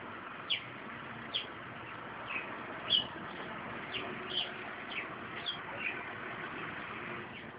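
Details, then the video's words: Sparrow on a balcony in spring, chirping: single short sharp chirps repeated about every half second to second, over a constant broad hiss of traffic noise. "SPARROW's Spring Song"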